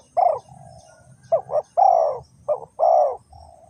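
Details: Decoy spotted dove (cu gáy), Ninh Thuận, Vietnam, calling to draw wild doves into a trap. Soft hooting coos come in paired and single notes, some with a lower trailing hum between phrases, in a quiet setting.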